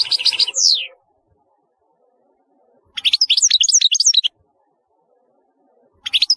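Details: European goldfinch singing short phrases of sharp, high chirps and twittering slurs, separated by pauses of about two seconds of silence.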